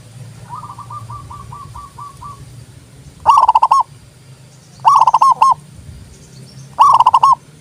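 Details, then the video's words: Zebra dove singing, a recording meant to spur reluctant doves to call. A soft run of short repeated coos is followed by three loud, rapidly pulsed cooing phrases about one and a half seconds apart. "TERAPI PERKUTUT MOGOK BUNYI PALING TOP"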